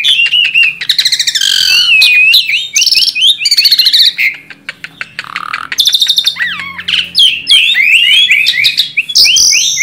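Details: Tame Asian pied starling in continuous song to prompt young starlings: fast chirps and slurred whistles packed with buzzy, scratchy bursts, with phrases tumbling over one another almost without pause.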